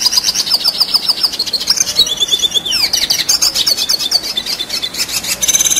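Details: Red siskin singing in the lively, continuous rolling style called gacor ngerol: rapid high twittering with fast repeated trills and sweeping whistled notes, barely pausing across the stretch.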